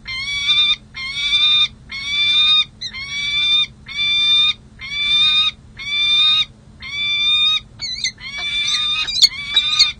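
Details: Peregrine falcons, a mated pair on a San Jose City Hall ledge in July 2024 during a long bonding session: loud, even, nasal wails near one second long, repeated about once per second, ending in sharper broken notes.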